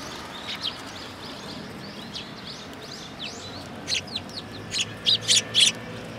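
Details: Injured sparrow, hurt on the head above its beak, at a Tenmangu shrine in Japan on 20 August 2022; soft scattered chirps build into a loud cluster of sharp high chirps near the end.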